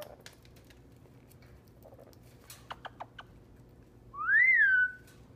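A red-crowned amazon gives one clear, whistle-like "hello" that swoops up and then slides down, under a second long, after a few soft taps.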